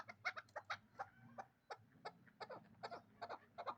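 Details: Hybrid partridge, two years old, bred for fighting and hunting, kept in Dushanbe, gives short harsh clucking notes about twice a second, uneven in spacing and fairly quiet.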